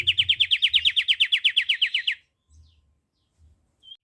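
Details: Pied triller singing a fast, even trill of about eighteen sharp, high, slightly downslurred notes lasting two seconds, then silence with a few soft low thumps and one brief thin whistle.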